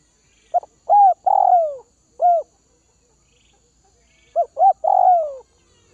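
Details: Tame caged spotted dove of the Tay Bac region, Vietnam, giving its phrase twice: stuttered short notes, a mellow coo, a drawn-out falling coo and a closing coo, separated by a two-second silence.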